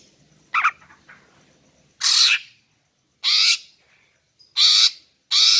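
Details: Female greater green leafbird call meant to draw in males: a short chirp, then strong raspy bursts of roughly half a second repeated about every second and a half, with faint whistles.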